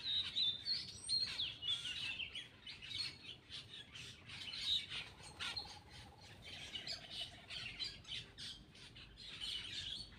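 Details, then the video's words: Black-winged myna while feeding gives a long run of rapid, grating squawks and chirps, dense and unbroken, with a soft low whistled tone partway through. "cucak Keling bar bar"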